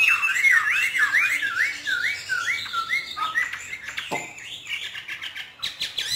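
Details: Hwamei from northern Vietnam in the free hót thả singing style: a chain of looping whistled notes, each sliding up then down, gradually dropping in pitch, followed by softer, scattered chirps.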